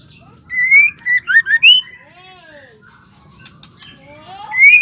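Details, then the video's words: Female white-rumped shama, a captive bird, sings to provoke males: a bright whistled phrase of five slurred notes, then softer wavering warbles and a descending whistle, closing with a loud rising whistle over low hum. "PANCINGAN TERCEPAT pastol Murai batu betina gacor pembuat emosi bikin murai lain emosi ngamuk gacor"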